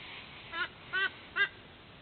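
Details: White-bellied sea eagle at its nest in Sydney, Australia, at 06:04 on 13 October 2024, giving three harsh, honking notes about 0.4 seconds apart over steady background hiss.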